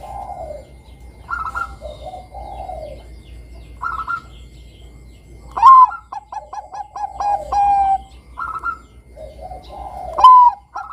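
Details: Bangkok-type zebra dove singing keenly, a recording meant to draw young doves into song: gentle purring coos alternate with sharp rising notes that each lead into a brisk series of clipped pulses.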